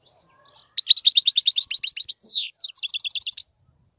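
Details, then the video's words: Goldfinch song: a fast, dry trill of high ticking notes lasting over a second, then a drawn-out downward slur, followed by another bright rapid series of chirps; no background noise. "تغريد طائر الحسون"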